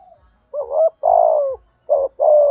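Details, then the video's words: Spotted dove used as a decoy for training and luring wild birds, giving two phrases of a brief wavering coo then a longer level coo, deep and mellow, with faint low ticks in the background. "tiếng chim cu mồi thúc gù _ gáy gọi _ giọng hạp bổi _ kích là gáy _ tập mồi hiệu quả, cu cườm gáy"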